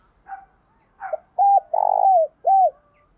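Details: Spotted dove delivering a 'bài bản bổi' style song. Two faint, softer notes come first, then a clipped coo, a long vibrating coo that dips at its end, and a closing arched coo.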